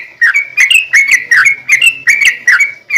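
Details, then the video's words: Sooty-headed bulbul giving a long rapid-fire 'ropel' song, meant to make other bulbuls sing in reply. Clear warbling whistled phrases repeat about two and a half times per second, each a quick dip and rise. "trucukan gacor ROPEL PANJANG buat pancingan trucukan agar bunyi"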